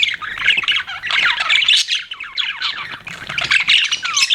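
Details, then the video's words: Squawky, warbling chatter of pet budgerigars, harsh chirps mixed with brief downward-sliding whistles, running continuously. "BUDGIES CHIRPING SOUND"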